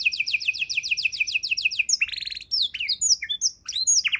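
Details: Canary singing for songbird tutoring: a long even trill of repeated rising notes, then a buzzy rattle and a string of varied sharp upslurred chirps, high and clear.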